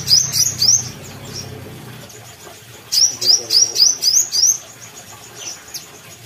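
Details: Brown-throated sunbird from Kalimantan singing actively: sharp, high, rising chirps in quick bursts, three notes, a pause, then about seven in rapid succession, with a faint low hum underneath at first.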